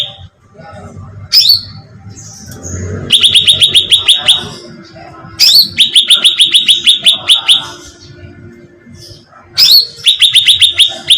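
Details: Bulbul known as cucak ranting, played as a bird-luring bait sound: three bouts, each opening with a harsh buzzy note and followed by a quick volley of high, falling chirps, with quiet gaps between.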